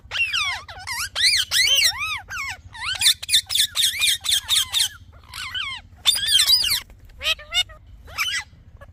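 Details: Talking parrot chirping: rapid series of clear, arching harmonic notes sweeping up and down, some rising and falling in quick bends, delivered in bursts about four per second with short pauses between phrases; low steady hum beneath.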